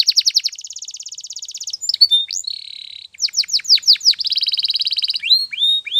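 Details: Canary singing for song training, a varied chain of phrases: fast pulsed trills, a buzzy steady roll, bursts of downslurred notes and a rising whistle at the end.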